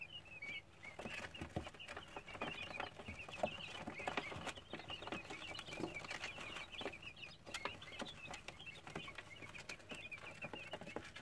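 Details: A group of quail chicks peeps busily and continuously with short, high chirps, while scratchy tapping sounds underneath.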